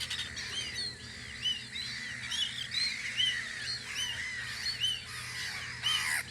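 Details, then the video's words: Many gulls calling on Audru polder in spring where they keep a guard post; a dense layer of curved, yelping notes with louder cries standing out, over low steady noise. "Kajakate vahipost Audru poldril"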